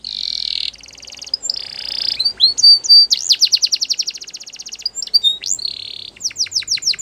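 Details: Canary singing: a buzzy high roll, a steady trill, rising whistles, then a long run of rapid repeated clicks and a series of sweeping downslurred notes.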